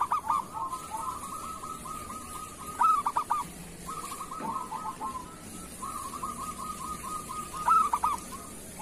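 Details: Zebra dove, local Indonesian type, kerot song played to train and stimulate other doves: three loud, halting cooing phrases spaced a few seconds apart over a constant quieter rolling trill.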